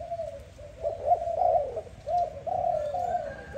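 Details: Soft low coos of a dove at morning, uneven notes swelling and fading in a short, rolling sequence.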